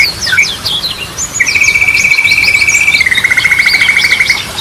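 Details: Singing yellow-vented bulbul, used as a lure for training birds that stopped singing. Scattered high chirps lead into a long even buzzing trill that steps down in pitch near the end.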